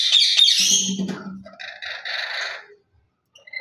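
A lory gives harsh, buzzy screeches in quick bursts for about three seconds, then falls silent before a short final squawk; a low hum sounds briefly underneath.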